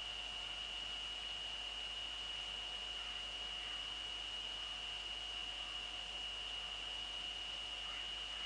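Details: A constant high electronic whine with a fainter lower tone sits over steady hiss, and no animal calls break through.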